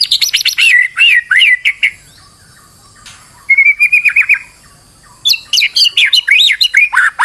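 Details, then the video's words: White-rumped shama under stress, used as a lure so another bird sings; fast, energetic bursts of high chirping and trilled notes, separated by short pauses, with one steady rattling trill in the middle. "PANCINGAN MURAI BATU STRES AGAR GACOR BONGKAR MATERI"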